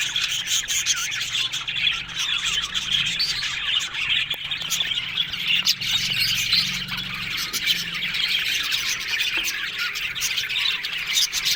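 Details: Budgie aviary colony of Australian parakeets: continuous high twittering and raspy warbling from many birds, with a faint low hum underneath through the middle stretch.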